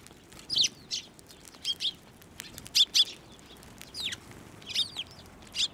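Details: Sparrows come to a hand for food at a Tenmangū shrine, recorded 11 March 2024; short sharp chirps in ones and pairs, spaced about every half second to second.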